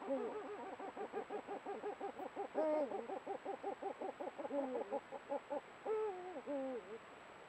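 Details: Guttural contact sounds from an excited Eurasian eagle-owl breeding pair meeting before breeding, recorded by camera trap; a rapid chained series of short throaty pulsed notes, several per second, broken by longer drooping hoots.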